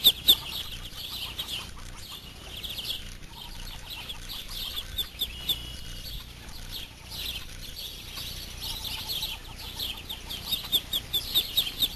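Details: Muscovy ducklings about two to three days old exploring with their mother; thin high peeps come in loose clusters, louder bursts near the end, over steady background hiss.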